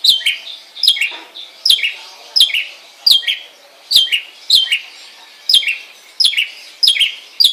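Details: Home-kept long-tailed shrike repeating sharp, descending chirped notes in irregular pairs and singles, roughly every half second, with faint clicks between.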